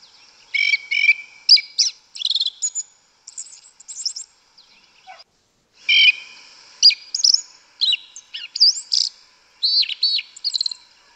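Yellow-legged thrush singing in short bursts of varied, fluty warbles mixed with thin squeaky high notes, separated by brief pauses; nothing else intrudes.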